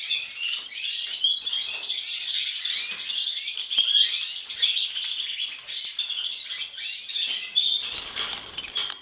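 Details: Young European goldfinch singing a long, continuous twittering song of rapid tinkling, buzzy and liquid notes, unbroken for nine seconds, with a brief thump midway.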